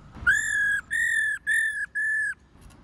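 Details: Four steady, ringing whistled notes, each about half a second long and evenly spaced, from a female black-throated laughingthrush calling repeatedly to stimulate males.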